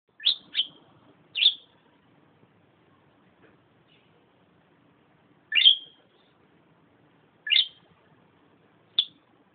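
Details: Pet bird chirping contentedly while sunbathing: short sharp upward-flicked chirps, some in quick pairs, spaced by several seconds of quiet, with a faint low room hum.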